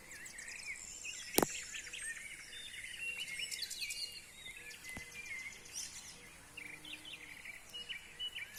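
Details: Birds in nature: several overlapping high chirps, twitters and short whistled phrases from more than one bird, with a sharp click near the start and a quiet outdoor background.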